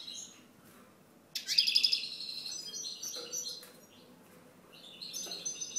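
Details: European goldfinch singing high, liquid twitters, with a loud rapid trilled burst around the middle, followed by quieter tinkling notes and a further twitter at the end.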